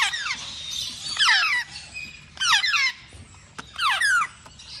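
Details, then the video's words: Baby African grey parrot giving shrill squeals that sweep steeply downward, in four bursts about a second apart, with quieter pauses between. "Baby Casco parrot- Africa grey parrot"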